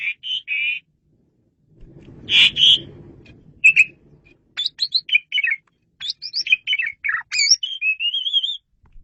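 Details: Asian pied starling song, clear and loud, intended for luring birds: whistled and buzzy notes, then a lively run of rising and falling whistles and a wavering trill at the end.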